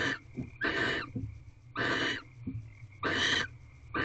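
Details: Barn owls mating in a nest box at 5:40 am on 7 March 2023, the eighteenth night: harsh, breathy hissing screeches, each about half a second, repeated roughly every 1.2 seconds, with soft low rustles between and a faint steady high hum.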